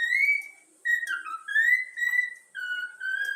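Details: Young yellow-cheeked cockatiel kept as a pet, trained to whistle the Flamengo anthem, gives a string of smooth whistled notes, long held tones alternating with quick downward slurs.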